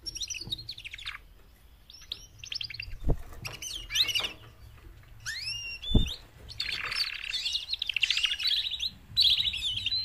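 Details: Four female canaries calling to encourage males to sing louder. Scattered high chirps and rising slurred whistles give way to dense buzzy trilled phrases near the end, with two sharp low thumps in between.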